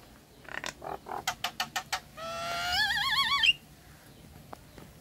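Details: Nias hill myna song used as a lure to get silent, stressed or molting mynas singing: a run of harsh rasping notes, then a loud wavering, trilled whistle lasting about a second.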